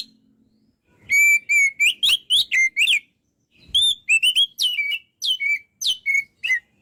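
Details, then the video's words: White-rumped shama pouring out rapid whistled phrases, bright notes repeated several times a second, two bursts separated by a short silence. "MASTERAN BURUNG KACER GACOR SEKALI"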